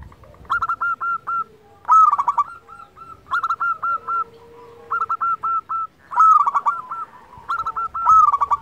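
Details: Local zebra dove in lively song, used to stimulate silent doves into singing: six rhythmic bouts of rapid, rising coo notes, each run of four to eight notes followed by a short gap, with a faint low coo in between.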